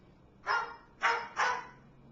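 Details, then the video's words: A pet bird barks like a dog as if acting as a watchdog: three harsh, dog-like barks over about a second, the last two close together, against a quiet background. "Bird Barks Like A Dog"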